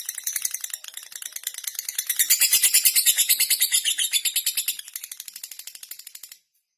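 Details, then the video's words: A lovebird's ngekek long chatter, used to provoke rival birds: quiet rapid rattling swells into a loud, harsh, high chatter, then fades and stops abruptly, leaving silence. "Love BIrd Ngetik Memanggil Lawan Langsung Ikut Ngekek"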